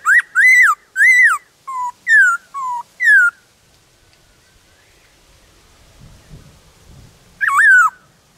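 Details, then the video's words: A wild black-throated laughingthrush sings in the forest with many voices, seven rich, arching whistles in about three seconds, a pause over faint low rumble, then one more whistle. "Khướu bạc má hót ngoài rừng Nhiều Giọng"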